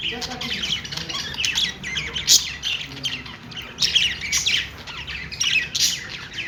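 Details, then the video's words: Pet budgies sounding happy: busy high-pitched warbling and chirruping with a few louder sharp squawks, continuous overlapping chatter from a group. "cute budgies making happy sound"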